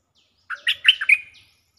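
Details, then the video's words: Stripe-throated bulbul song used to lure birds: one crisp phrase of five rapid, gurgling notes climbing and dipping, closing with a thin drawn-out whistle, on a quiet background. "Suara pikat merbah lekir gacor"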